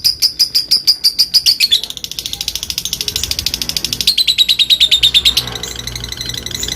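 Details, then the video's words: Long ngekek from a fighter lovebird provoking rivals to sing: sharp, evenly spaced high chips run into a fast buzzy chatter that holds for several seconds, then fades into softer ticking. "Lovebird memanggil musuh ngetik dan ngekek panjang fighter, bikin semua lovebird bahan cepat bunyi"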